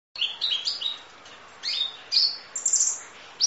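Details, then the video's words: Kolibri ninja sunbird, full song recorded as masteran training audio: thin high-pitched chirps and short whistled slurs, some rising and some falling, given in quick clusters separated by brief pauses, over faint steady background hiss. "Audio Master Masteran Kolibri Ninja Full Isian Nembak Durasi Panjang Kicau Burung"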